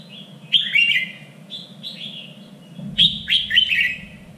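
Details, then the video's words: Red-whiskered bulbul contest song for training fighting birds, standard three-region Vietnamese voice: lively run of bright warbled notes, a pause of soft whistles, then a rapid cluster of loud phrases; low hum beneath. "LUYỆN CHÀO MÀO ĐẤU || GIỌNG CHUẨN 3 MIỀN"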